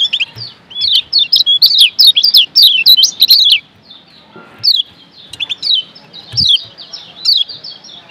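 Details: Kecial kuning of Lombok singing a tutor song: a quick run of high twittering notes at the start, then a quiet stretch, then looser chirps and short phrases to the end.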